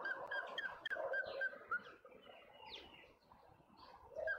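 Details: Male African grey hornbill in a suburban garden in Pretoria, South Africa: a run of clear, piping whistled notes, about four per second, which fades into softer sounds while other garden birds chirp and twitter in the background.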